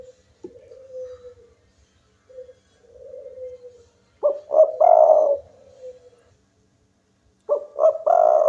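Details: Spotted dove, local bird in full voice that rouses rivals to call: soft drawn-out coos at first, then two strong phrases of paired short coos ending in a long throaty coo.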